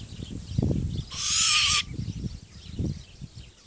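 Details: Great grey owl and Malay wood owl hybrid utters one rasping, airy hiss of under a second, preceded and followed by low rustling and thumping sounds nearby.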